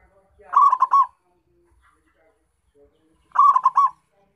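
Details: Two phrases from a local zebra dove kept as a lure for wild doves: each opens with soft low notes and swells into a quick series of accented, stuttering coos, with silence between.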